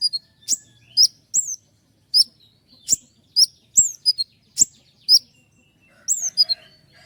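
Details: Common iora in full song, delivering long rolls of sharp shots with steep peaks: bright, high, clipped whistled notes with quick downward flicks, fired in short bursts about every half second, with sharper clicks between them.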